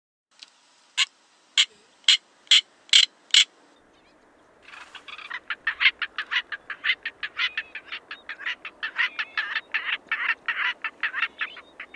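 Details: Male Northern black korhaan (white-quilled korhaan) of southern Africa: several sharp, well-spaced rasping clicks, a pause, then a long faster run of harsh grating pulses, roughly two or three per second.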